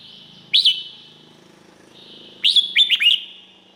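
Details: Thai red-whiskered bulbul gives one sharp rising whistle, then after a pause a lively phrase of three or four clear, slurred notes.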